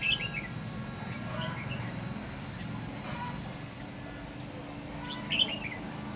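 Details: Red-whiskered bulbul recorded during bird trapping on 8 December 2015; short bright warbled phrases ring out at the start and again near the end, separated by quiet stretches over a steady low rumble and faint hum.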